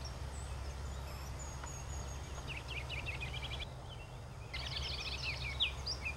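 Ruby-crowned Kinglet giving two quick bursts of high, twittering notes with a few thin, very high squeaks, over a steady low rumble.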